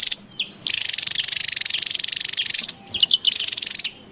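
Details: Wild Javan tesia, noisy lure sound: a couple of quick whistled notes, then a long steady buzzy rattle lasting about two seconds, followed by a fast string of sharp high notes and another rattle.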